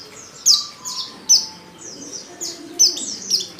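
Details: Female white-eye calling a male while in breeding condition: sharp, high chirps dropping in pitch, spaced unevenly, with a faint low tone in the background.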